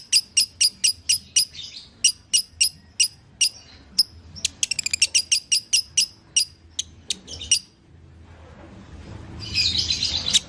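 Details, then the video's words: Lovebird recording used to stimulate a pet bird's singing: steady high chirps about three per second, a brief rapid trill, then sparser notes fading out before a noisy, rustling burst at the end. "Putar Suara ini agar LB anda akan kembali Bunyi"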